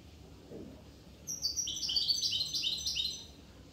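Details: Corsican goldfinch song: a brief, high tinkling twitter of quick, stepped notes over a low background hiss.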